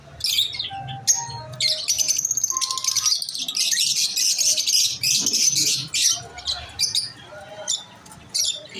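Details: Masked lovebirds chirping: dense, bright, high chirps and squeaky trills packed together in bursts, with a few brief lower tonal notes between them and short pauses near the end.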